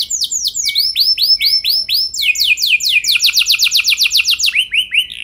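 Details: Canary singing as a lure so other canaries roll at length: arched whistled notes repeated in series, then a fast run of sharp downslurred notes and a closing group of rising whistles.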